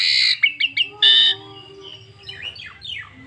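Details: Asian pied starling, a singing bird used as a lure to draw song from other starlings; a harsh squawk, quick chirped notes, then a loud rasping burst followed by softer descending whistles.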